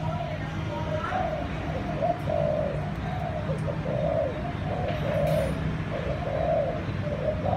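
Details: Malai-line dove in thúc gù style, its offspring expected soon: continuous low rolling coos with short lead notes through the recording, over a constant low drone and a few faint clicks.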